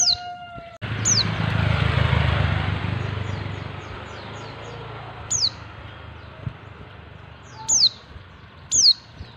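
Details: Female white-eye calling to attract males; loud rushing noise dominates at first, then sharp high downslurred notes come through at scattered intervals, the last two close together.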